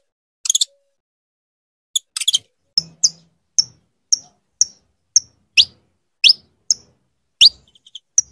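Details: Female saffron finch calling insistently to get her mate ready to breed: after a few harsh, noisy bursts, a steady run of sharp, high chip notes follows about every half second, several sweeping steeply upward, with no other sounds.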